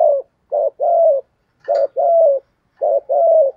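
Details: Spotted dove giving the thổ-style song: three rapid phrases, each a short coo followed by a longer, slightly falling hollow coo, closely spaced over a few seconds.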